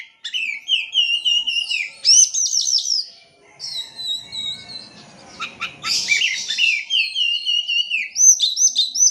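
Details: Oriental magpie-robin lure song meant to get silent birds singing: dense varied whistled phrases with sharp downslurred notes, a brief harsh burst midway, then more lively chirping.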